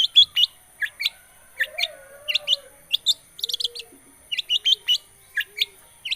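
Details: Long-tailed shrike song used as a lure for a silent bird: irregular high chirps and quick paired notes, some bunched into rapid clusters, with a faint low whistle in the background.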